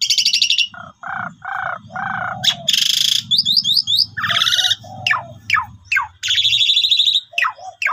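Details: Pied myna (jalak suren), a vigorous lure singer: repeated nasal mid-pitched squawks, a loud broadband buzz, chattering zigzag notes and a long rasping phrase, with a steady low hum behind.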